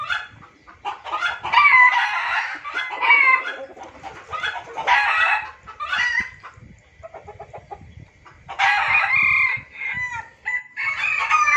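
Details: Junglefowl lure recording, described as noisy: dense bursts of harsh, clucking and cackling notes with short rising squeals, grouped in loud spells separated by quieter gaps, over a thin steady high whine.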